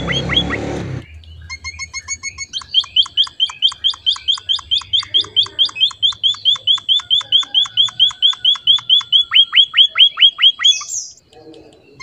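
A finch gives a long, steady run of high, sharp chirps, a little over two per second, after a short burst of rough noise.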